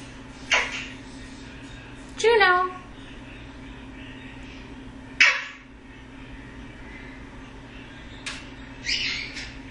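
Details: Funny noises from a pet male eclectus parrot in foster care: a sequence of short rasping squawks and one strained, descending harmonic call, irregularly spaced with pauses of one to three seconds, over a constant low indoor hum.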